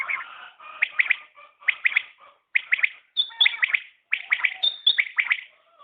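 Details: Common quail calling in quick three-note bursts repeated roughly every second, over a soft continuous background murmur with a couple of thin high whistles.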